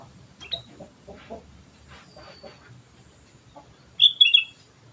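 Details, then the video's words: Sooty-headed bulbul singing actively: soft scattered chirps and faint low clucking early on, then a loud, brief cluster of bright whistled notes near the end. "pancingan suara burung kutilang gacor"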